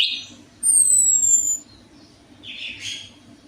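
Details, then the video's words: Orange-headed thrush song played as a lure for a bird that rarely sings. Clear, thin, slightly falling whistles are followed after a pause by a softer rough, hissing note. A low hum continues throughout. "DENGAN PANCINGAN ANIS MERAH AMPUH INI, ATASI SUSAH BUNYI ANIS MERAH"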